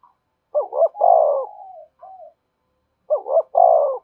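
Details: Spotted dove coo used to stimulate wild doves to call and come to the perch: two loud phrases, each of quick throaty pulses and a long hoarse falling note, with a short soft coo between.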